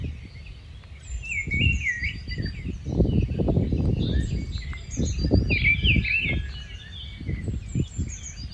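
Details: Song of a rufous-tailed scrub robin, a migrant: continuous jumbled warbling with quick rising and falling whistled notes and high ticks, accompanied throughout by loud low-pitched background rumble.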